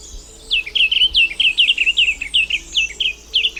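Diademed Tanager song: a quick string of short, sweet chirping notes, high-pitched and slightly slurred, about three or four each second, with a faint low hum beneath.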